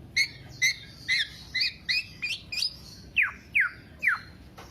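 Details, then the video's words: Black-naped oriole singing nonstop for use as a lure or master recording by songbird keepers: rhythmic, nasal, upturned notes about twice a second, ending with three loud, sharply down-slurred calls. "Kepodang Podang kicau sampe telerrr"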